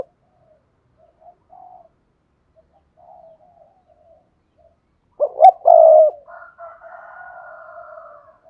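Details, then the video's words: Long stretch of faint, soft spotted dove cooing, then a sharp burst of two short notes and a held coo, followed by a thinner, drawn-out murmured coo. Used as a lure to make other doves call. "mở tiếng cu gáy thúc bổi này"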